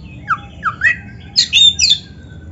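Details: Oriental magpie-robin, 'gacor isian' lure song for provoking other magpie-robins to sing: three short downslurred whistles followed by two harsher, louder squawking notes.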